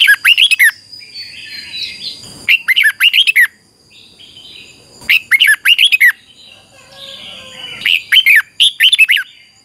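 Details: Red-whiskered bulbul in singing contest and song training, giving three loud bursts of rapid whistled, slurred notes every few seconds, with quieter chattering birds and faint background noise between.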